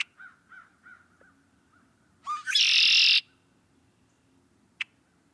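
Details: Red-winged Blackbird, a Midwest (Illinois) resident and early-spring returnee to wetlands and overgrown ponds, gives three short, clear introductory notes, then a loud, harsh, buzzy trill lasting about a second; otherwise quiet, with one brief click afterward.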